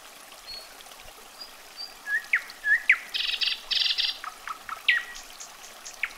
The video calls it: SINGING NIGHTINGALE